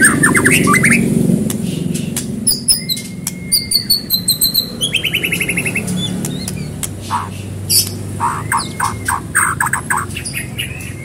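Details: Gacor-style singing of a white-rumped shama used as a prompting lure for another bird: rapid trilled series of high repeated notes, long flat whistles and sharp chips in quick succession, over a low droning background.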